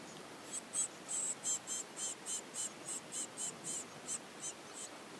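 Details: Orphaned great tit chicks, parents probably killed by a cat, being hand-fed and growing well; rapid high hissing begging notes repeated about every quarter second in a steady pulsing series.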